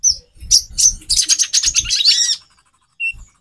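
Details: Female konin (kolibri ninja) calling to arouse a male's mating drive: rapid, very high, thin chirps and trills in a dense burst lasting about two seconds, then one short whistled note, with soft low thumps beneath.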